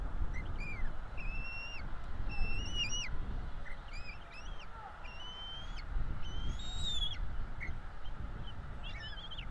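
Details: At a northeast Florida nest on 5 April 2022, two bald eagle chicks beg as they are fed: short, high, piping whistles in quick clusters, some rising and quavering, over a constant low roar of wind.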